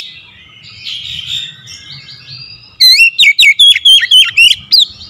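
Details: A quiet, soft warbling gives way to a loud, rapid series of sharp, up-and-down whistled notes from an oriental magpie-robin, a kept bird said to sing only reluctantly.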